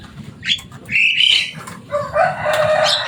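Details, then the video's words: Javan myna, a loud bird that can imitate human talk, making a short rising squeak, a strained whistled note, then a long harsh gurgling rasp. "Burung jalak kebo selain suaranya yang rame"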